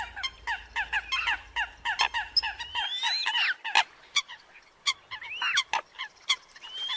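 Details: Eurasian coot lure recording for bird trappers from northern Vietnam, a competing call: rapid harmonic barking notes repeated several times a second, with sliding squealy notes in between and faint music at the start.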